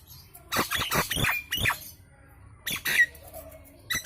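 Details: Loud lure song of a Nias hill myna meant to set other birds singing: a short cluster of harsh, noisy squawks, a pause, then two more rough bursts and a brief whistle.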